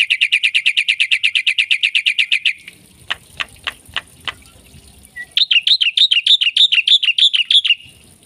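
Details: Black-winged myna (jalak putih) in lively gacor song full of isian fills: a fast train of sharp, high chirps about three per second, a pause with dry clicks, then another run of rising, looping whistled notes.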